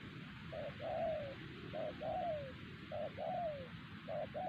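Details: Spotted dove, a wild bird at Siosar that other wild doves did not dare answer, repeating a three-part phrase about every second: a short coo, a long coo sliding downward, and a pause, over a soft low rumble.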